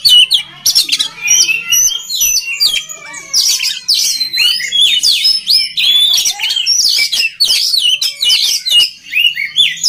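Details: Oriental magpie-robin song used to train other magpie-robins to sing readily: a dense, continuous stream of varied whistles, sweeps and chattering notes, mostly high-pitched, with quick rising and falling slurs and no pauses longer than a moment.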